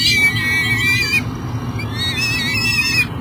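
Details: Peregrine falcon at a Minnesota nest box by the Mississippi River, arriving with food in the morning: drawn-out, quavering, high wailing calls, two long bouts separated by a short gap, with steady low machinery rumble beneath.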